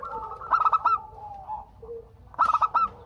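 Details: Zebra dove of local Indonesian stock in eager song meant to set other doves answering. Two brief bursts of rapid, bouncing coo notes separated by soft, low drawn-out cooing.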